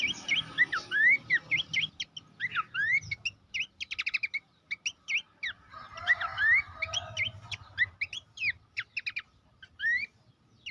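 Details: Abbott's babbler master song used to train contest songbirds: long stream of sharp chirps and upward-sweeping whistles, nearly continuous with brief gaps.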